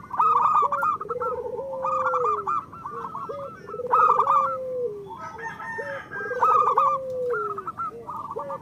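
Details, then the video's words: Zebra dove of local stock singing, played to coax reluctant or moulting doves into song. Stuttering coos run into a long gliding low note, over and over, beneath brighter repeated hooting notes from other doves. "Perkutut lokal gacor Masteran Perkutut Suara Kristal"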